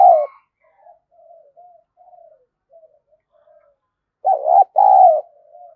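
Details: Spotted dove cooing as a decoy for wild doves: a short low coo, then quiet soft purring fragments, followed by a loud hollow two-note coo phrase near the end.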